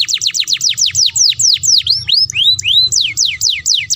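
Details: Canary song for rousing breeding condition and mating: rapid series of steep downslurred whistles, about four per second, shifting into rising and falling sweeping notes, clear and loud.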